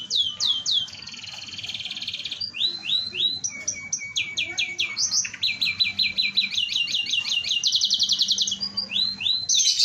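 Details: Vigorous gacor canary singing used as a lure for other canaries: varied medley of swept whistles, harsh buzzy rolls and machine-gun trills, changing phrase every second or two without pause.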